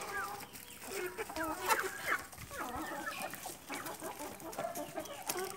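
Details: Chickens feeding in a yard: many overlapping soft clucks and short wavering chirps from several birds at once, a steady busy chatter with brief louder notes.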